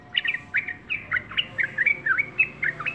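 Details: A yellow-vented bulbul sings a brisk series of clear, bouncing chirps, each note curling up or down, roughly four per second, in a quiet setting.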